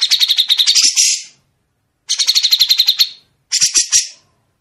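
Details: Grey-cheeked bulbul training recording of sharp, clear, long bursts for songbirds to mimic: three bursts of rapid, harsh, buzzy chattering notes, each about a second long, high-pitched, with short silent gaps between.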